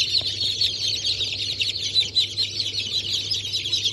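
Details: Chorus of freshly hatched chicks, mixed Brahma, Sultan, Sussex and Wyandotte, hatched 28 January 2024: many shrill peeps blending into an unbroken high chatter, with a constant low electrical hum underneath.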